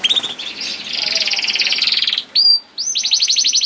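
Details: Canary singing a masteran used to coax other canaries into song: a sustained fast metallic trill, a brief pair of high pure whistles, then another quick repeated trill.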